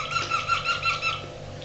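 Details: Canary singing in the flawta style: a sustained, flute-like warbling tone that pulses steadily about six times a second, with soft upper overtones and a low room hum underneath.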